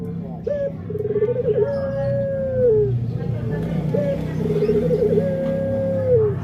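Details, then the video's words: Male puter pelung dove cooing: a short note, a fast rolling trill, then a long drawn-out coo that slowly falls at the end, repeated twice, over a low rumbling background. "Suara Burung Puter Pelung Jantan"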